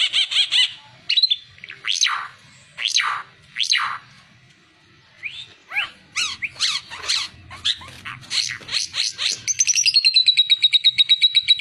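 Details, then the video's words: High, varied oriental white-eye song meant for training other songbirds: sharp descending swept notes, quick chips and twittering phrases, ending in a rapid, even high-pitched trill. "Burung ara mata merah cocok buat masteran"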